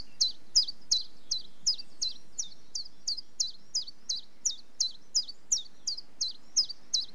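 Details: Common chiffchaff (Phylloscopus collybita) song: a steady run of high, sharp notes alternating slightly in pitch, nearly three per second, over a faint low background rumble.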